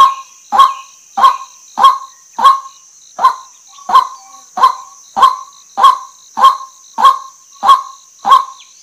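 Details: Repeated loud honks from a female white-breasted waterhen, fourteen evenly spaced harsh notes about 0.6 seconds apart, over a steady high-pitched background hiss.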